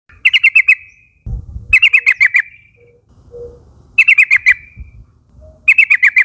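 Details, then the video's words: Forest-dwelling young Yellow-vented Bulbul flock, lively nguplik calling used as a lure to get mates singing along. Four bubbling bursts of five or six quick descending notes, with a dull thump and soft low noise in the gaps. "suara burung trucukan nguplik gacor memanggil kawan ombyokan muda hutan agar ikut bunyi"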